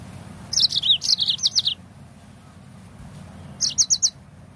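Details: Singing yellow-fronted canary, a recording played to get birds singing: a lively string of about eight high, clipped, warbling notes, silence, then four quick bright chirps.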